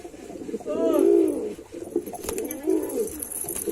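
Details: A white male pigeon gives low, throaty, rolling coos, two swelling phrases about two seconds apart, with faint rustling and background noise.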